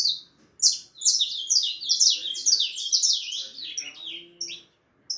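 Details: Harlequin saffron finch chick, four and a half months old, singing a fast excited string of high chirps sliding downward, packed closely for about three seconds, then tapering to a few isolated notes; faint low tones beneath.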